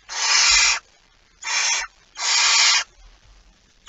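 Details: Three harsh, airy hisses from a barn owl at the nest with a mouse on 23 September 2019, the first and last longest, followed by quiet.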